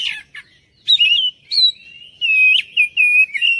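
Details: Oriental magpie-robin lure song to get other birds singing: a few quiet scratchy notes, then loud, clear whistled phrases with upward flicks and steady held tones, separated by short breaks.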